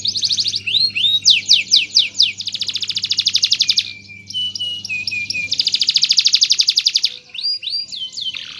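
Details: Master canary singing continuously to teach song: fast series of rising swept notes, long high buzzing rolls, and brisk repeated chirps, over a soft low hum.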